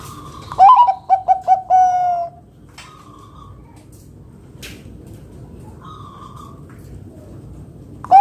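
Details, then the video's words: Zebra dove, known locally as perkutut, singing to draw other doves into song: a rising first note, four brisk short coos and a long held coo, followed by quiet with faint distant bird calls and another song starting at the end. "Masteran Burung Perkutut agar Bunyi GACOR"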